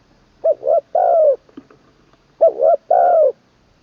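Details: Caged decoy spotted dove in its third training session, its song with a 'kuk' ending and a full middle voice: two cooing phrases of two brief notes and a longer falling coo, with a faint tap between them.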